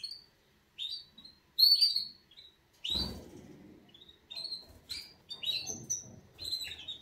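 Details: Canary wake-up song in separate short bursts: clipped high chirps and little trills with gaps between, and one loud rustle or knock partway through.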